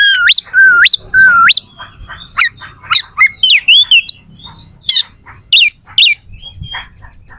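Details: Oriental magpie-robin giving a rough, sharp fighting song to make rival males respond: three rising whistled sweeps, then varied chirps, buzzes and trills at an uneven fast pace.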